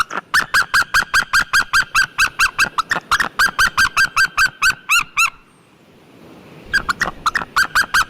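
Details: White-tailed eagle giving a fast series of sharp yelping notes, about two to three per second, breaking off into a short silence before the series resumes.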